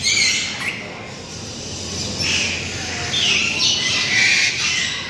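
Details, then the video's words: Dozens of parrot species from around the world kept in covered enclosures at Tehran Bird Garden make a noisy mix of harsh, scratchy squawks and shrieks. The calls rise and fall in overlapping bursts over a steady background hiss. "And here we have dozens of parrot species from all over the world. The noise they make is incredible"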